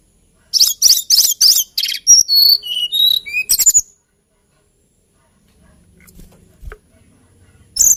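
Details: Hill blue flycatcher, a small songbird of Kalimantan and Java, singing a melodious, lilting phrase: rapid clicky notes, then high whistled notes stepping downward, followed by quiet and a faint low hum.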